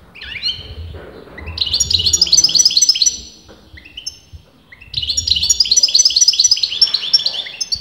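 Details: European goldfinch, a bird whose sex top breeders disagree on, singing continuously: two bursts of rapid, liquid twittering trills with tinkling high notes, each about two to three seconds long, separated by a short pause, with soft low thumps beneath.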